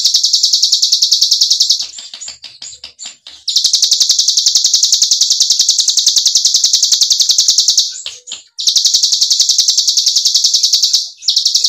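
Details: Cigun white-eye delivering its 'ngebren' rolling song, meant to prompt silent birds to sing again: long stretches of rapid, buzzy, high-pitched trilling, interrupted twice by short bursts of softer chattering notes.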